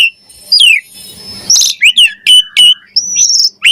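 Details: Javan pied starling song for luring and training other starlings: a drooping whistle, a hissy pause, then clipped sharp chirps, a sustained high whistle and a final bright note.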